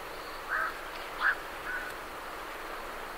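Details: Night herons leaving a roost utter two or three muffled, throaty croaks in quick succession against a hiss of background noise and distant great reed warblers.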